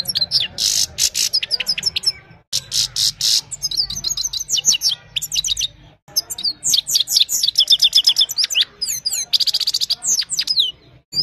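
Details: Evening song of a Himalayan goldfinch recorded by mobile phone: bright, fast twitters and sharp tinkling chirps in quick bursts separated by short pauses, with silvery rising slurs and a faint low background rumble.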